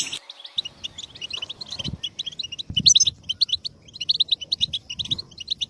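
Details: Goldfinch song of quick high chirps and short twittered phrases in steady runs, with a few soft low thuds in the background.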